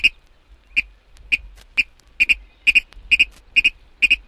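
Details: Virginia Rail from eastern and central North America giving sharp, dry ticking notes, first single, then paired 'kid-ick' doublets, about twice a second.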